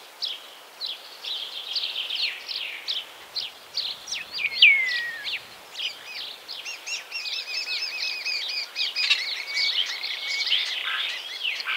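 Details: Common Starling singing a varied medley of high whistles, chirps and rattles, including a clear downslurred whistle, then a long run of rapid repeated clicking and chattering notes.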